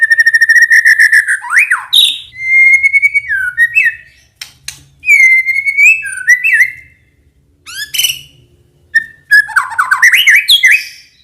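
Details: Song of murai batu, the white-rumped shama, used to prompt young birds to sing: rapid trilled whistles, steady drawn-out whistles with upward flicks, sharp clicks and a final tumbling medley of slurred notes.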